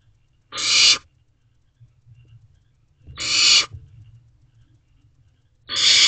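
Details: Barn owl nestlings in an owl box around 12:01 am on 21 May 2023, allopreening while waiting to be fed; three loud, broad, breathy screech-hisses, each under half a second, spaced about two and a half seconds apart, faint rustling between.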